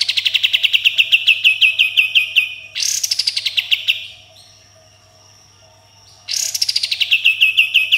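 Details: Caged Sooty-headed bulbul singing energetically in the 'tembakan' style with harsh 'besetan' phrases: long rapid trains of sharp repeated chirps near one pitch, broken by loud harsh buzzy bursts, then a short pause before another burst and rattling train.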